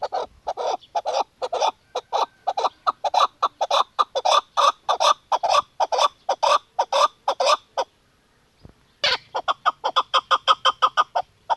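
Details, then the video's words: Female chukar partridge calling: a steady series of short, hoarse clucking notes about two per second, a brief silence near the end, then the clucks resume in the same rhythm. "keklik sisi chakor birds female madi dasi"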